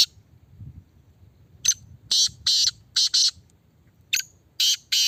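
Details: Caged black francolin under test in a red cage delivers harsh, rasping calls: a sharp lead-in note, then a run of grating buzzy bursts, repeated as a second phrase, against soft low background noise.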